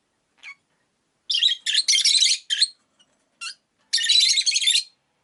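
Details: Rosy-faced lovebirds in a windowside cage, five birds in all, chatter in a run of rasping high chirps: a short note, then a dense cluster of grating bursts, one lone chirp, and a final long buzzy burst.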